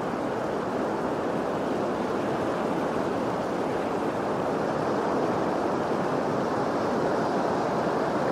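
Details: Steady roar of waves and surf along the Andaman and Nicobar Islands coast in India, a dense wash of water noise with no animal voices.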